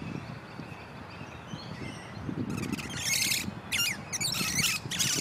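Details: A pair of wild musk lorikeets calling from a large pepper tree: after a quiet start with faint distant chirps, dense shrill screeches arrive in rapid broken bursts, with a constant low background rumble.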